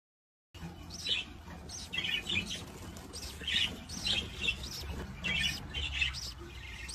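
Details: Budgerigar parents feeding their new chick, which gives rapid, raspy, high chirps in clustered bursts while begging for food; Budgerigar.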